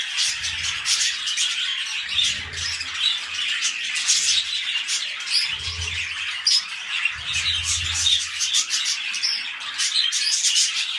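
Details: Pet budgerigars mating as they begin a new breeding round: dense, continuous high warbling chatter with rapid chirps and squeaks throughout, broken by several low dull thumps.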